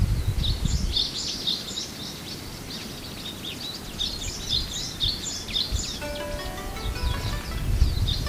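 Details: Japanese white-eyes on Amami in February chatter with a steady stream of high, thin chirps, while a set of steady tonal notes comes in after about six seconds, over a low background rumble.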